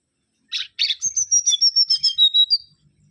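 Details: Mangrove whistler (Pachycephala grisola) song opening with two harsh, buzzy notes, followed by a fast string of around twelve clear high whistles, repeated rhythmically and ending on a rising slur.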